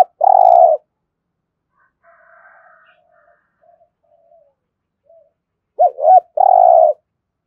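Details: Spotted dove cooing in the thổ voice style, played to spur a decoy bird into cooing: a loud, low, drawn-out coo opens, faint soft notes follow, then two quick clipped notes and another long coo close.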